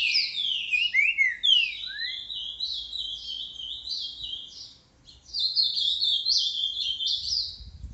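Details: Green-winged saltator (trinca-ferro) giving boca mole style song on 29 December: fast, busy warbling with downslurred notes. A gap near five seconds precedes another dense, chattering run of high notes.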